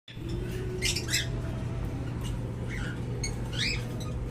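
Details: Hand-fed cockatiel chicks give raspy, squawking begging calls in short bursts over a steady low hum.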